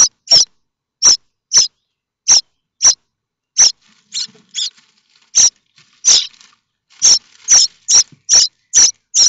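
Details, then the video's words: Starling nestlings at Théding, France, begging for food from their parents: a series of sharp, high, scratchy calls, irregularly spaced, with softer faint calls in the middle before the calling quickens again. "Les étourneaux sansonnets de Théding"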